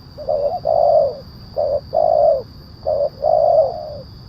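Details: Spotted dove lure call, loud 'kuk 1' style: three phrases, each a short hollow coo followed by a longer, fuller coo that tails off, evenly spaced about every 1.3 seconds.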